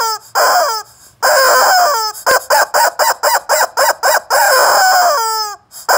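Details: A rooster gives loud, hoarse, drawn-out crows, broken by a quick run of about ten short harsh notes at roughly four per second.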